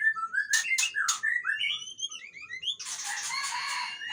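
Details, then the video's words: White-rumped shama, Aceh type, giving sharp clicks and scattered fluting whistles, then a sudden loud hissing, rasping burst. "Murai Aceh"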